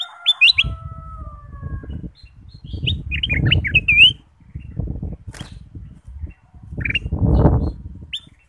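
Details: Ruby-throated bulbul whistling as a lure to make other birds sing: scattered loud, rapidly modulated notes and short warbled phrases, separated by bursts of heavy low rumbling noise.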